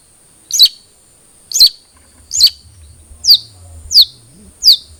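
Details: Cendet trotol, a long-tailed shrike, heard on a lure track for encouraging a caged bird to sing: six clean, sharp, descending high chirps, spaced about one second apart.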